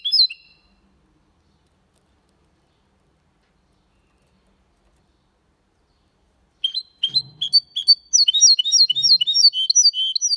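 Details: Goldfinch and canary hybrid in Malaga song style; a short burst of high notes, a long quiet gap, then an energetic, rapid flow of high twittering phrases with a few soft low thuds.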